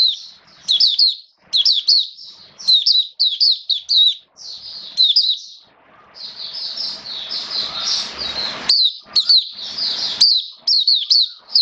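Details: Caged Oriental white-eye kept as a hobby songbird, recorded 29 September 2022 in wet rainy weather, singing in full. High sweet twittering phrases of quick slurred notes, delivered in bursts with short pauses; a hissing noise wash around the middle.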